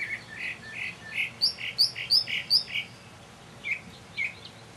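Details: Mockingbird performing early one evening in May 2007, alternating a series of soft lower rolling notes with sharp high repeated chips, ending with a few scattered calls.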